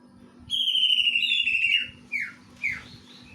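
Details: Greater green leafbird song with imitated kingfisher material. A long, clear, high whistle holds steady and then sags slightly. It is followed by two short, sharply falling whistled notes with pauses between them.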